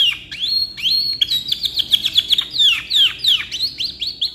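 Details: Canary giving a long song used for tutoring young birds: high whistled upslurs and downslurs mixed with rapid trills, continuous and bright throughout, over a low background hum.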